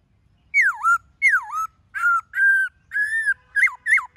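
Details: Black-throated laughingthrush singing in the forest-voice style: loud whistled notes that swoop down and back up, then steadier flat whistles and short hooked phrases, with quiet pauses between them.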